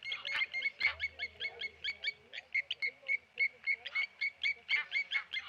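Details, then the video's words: Blacksmith lapwings mobbing a tawny eagle at the Okaukuejo Resort wildlife waterhole, Namibia: a fast run of hard, metallic 'klink' notes, several per second, bright and evenly pitched, over a quiet low hum. "Tawny Eagle dive bombed by Blacksmith Lapwings."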